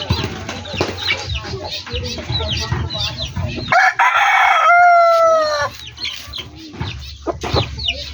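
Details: Backyard rooster crowing amid a flock: scattered clucks and short chirps, then a loud, sustained, harmonic crow of about two seconds, ending with a falling tail, before clucking resumes.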